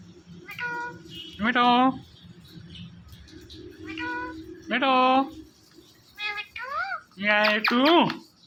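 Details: Pet Indian ringneck parakeet talking indoors: repeated nasal meow-like calls with bent, wavering pitch, coming in pairs and short bursts separated by quiet gaps, with a low background hum.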